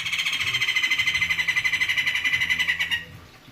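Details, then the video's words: Thick-voiced white-crested laughingthrush kept in a cage, chattering loudly in steady rapid pulses, about four per second, for three seconds before falling quiet. "POKSAY JAMBUL PUTIH SUARA TEBAL"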